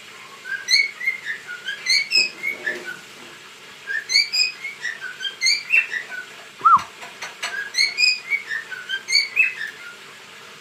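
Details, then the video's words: Dancing pet cockatiel gives a run of repeated whistled phrases, quick up-and-down slurred notes in rhythmic bursts roughly every second, broken midway by a single sharp click. "sultan papağanı sesi"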